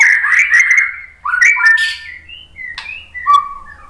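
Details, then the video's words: White-rumped shama (murai batu) lure song (pancingan) meant to provoke other shamas into singing; loud, varied whistled phrases with quick slurred notes, a brief pause, then higher clear whistles and a falling sweet note. "suara MURAI BATU Untuk Memancing BUNYI biar ikut GACOR NGEPLONG ¦ PANCINGAN MURAI BONGKAR MATERI"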